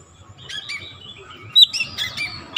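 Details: An Oriental magpie-robin, provoked once, sings vigorously with open beak: a run of sweet, varied whistles and scratchy notes, some sharp and high, over a low background rumble.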